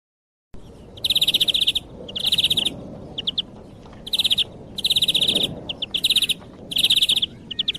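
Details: European greenfinch song used as a hunting lure: fast, high trills in bursts of about half a second, separated by short gaps, with a few brief single notes between the runs.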